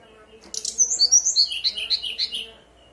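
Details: Brown-chested jungle flycatcher in persistent fluting song, used as a lure so newly bought birds answer and sing: soft clicks, then about a dozen clear whistled notes stepping down from very high to mid pitch.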